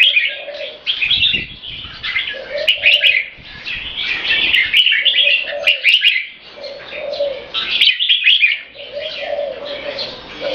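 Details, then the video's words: Tame, caged red-whiskered bulbul of Thai champion stock performing a marathon 'keke' competition call: near-continuous rapid chatter of bright, scratchy notes, broken by short gaps, over repeated low cooing phrases. "SUPER MARATHON KEKE N BUTIR BERN JAMBUL"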